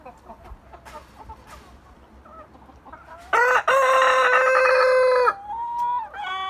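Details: Several roosters kept in a backyard coop; after quiet background rustling, one loud harmonic crow rises and holds steady for about two seconds, then a thinner drawn-out note trails off at the end.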